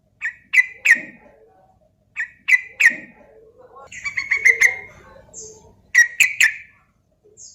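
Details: Sooty-headed bulbul song used as a lure to get other bulbuls singing. Clear, loud phrases of two or three liquid, slurred notes with sharp click-like onsets, repeated roughly every two seconds with short gaps, and a quiet background.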